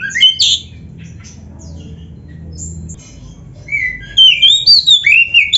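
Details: Shama song for training other birds: a loud opening phrase, a long near-silent gap over faint low hum, then a flurry of rising high whistled notes in quick succession.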